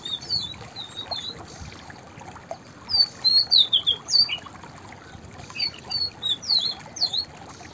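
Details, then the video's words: White-browed fantail (Rhipidura aureola) sings bright, high whistled phrases of rising and falling notes in short bursts, with a faint background hiss. "White Browed Fantail Singing Songs / white-browed fantail vocals / chirping"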